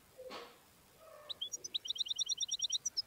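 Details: Wild European goldfinch delivering a quick, even series of high, sharp chirps after a couple of thin rising notes, with a soft low thump early on.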